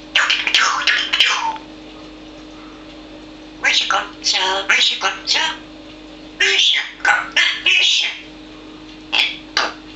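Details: A pet parrot that never stops talking gives bursts of raspy, speech-like syllables. The phrases are spaced by pauses of one to two seconds, over a steady low electrical hum.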